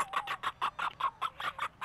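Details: A barn flock of hens and a couple of roosters in Jupiter, Florida, waiting behind a door to be let out for morning feed, clucks in a rapid run of short, mid-pitched notes, about five a second, the birds calling over one another.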